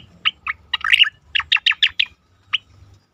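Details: Asian pied starling singing for a competition-bird training recording. Loud, sharp chirps and a harsh chattering phrase follow one another rapidly, then a single final note after a short pause. Soft low rumble behind.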